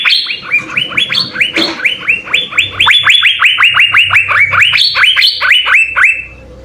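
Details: Cucak biru (Asian fairy-bluebird) delivering 'gacor full isian' tutor song: a long chain of rapid rising whistled notes, varying slightly in pitch, with a brief scratchy sound near the start and low hum behind.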